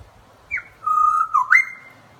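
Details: Butcherbird's pure whistle: a short high note dropping to a long steady mellow tone, then a quick upward slide to a sustained higher whistle.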